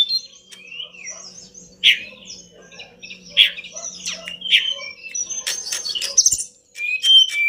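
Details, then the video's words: Pied bush chat singing as a master song for pet birds: scattered high whistles and short slurred notes, loud harsh chips around the middle, then a busy burst of twittering and a brief pause before the song resumes. "Kicauan mewah TLEDEKAN GUNUNG gacor dor"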